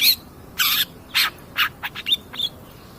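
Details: Long-tailed shrike, a lively singing cendet pastol, in a lure recording meant to provoke other birds: harsh broadband rasping bursts, then short sharp chirps and two thin high whistled notes.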